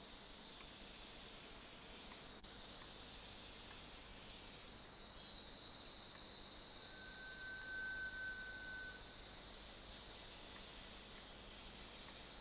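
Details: Rail-babbler at KrungChing Waterfall gives a single long, thin, level whistle lasting about two seconds over a steady hiss of insects.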